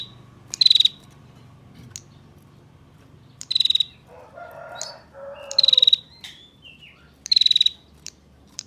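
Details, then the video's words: Female bar-winged prinia 'ngetir' call used to draw males into calling: four bursts of fast, dry, high ticking notes spaced a couple of seconds apart, with softer, lower warbling from another bird in between. "Masteran Prenjak Tamu Ngetir Durasi Panjang, Pancingan Prenjak Jantan Agar Bunyi"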